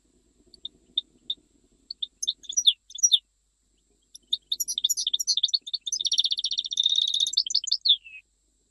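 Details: Sparse single chirps from a goldfinch building into a dense Jijli-style song, with fast twitters and a long rattling trill that slides downward at the close.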